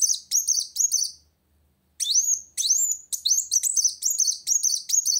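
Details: A kolibri wulung sunbird sings hard to challenge a rival, giving piercing high chirps and rising hooked whistles in short clusters separated by a pause of under a second.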